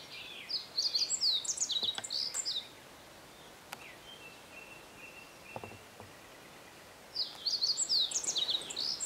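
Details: Meadow bunting, common in the forested hills around Matsunoyama Onsen, Japan, giving two brisk high song phrases of jumbled chirps and short trills, each about two seconds long, separated by a quiet gap with a faint thin whistle and light rustling.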